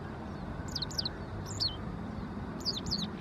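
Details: Japanese wagtail calling in short clusters of harsh, buzzy double notes, two pairs early, one near the middle and two more at the end, against a constant low hum.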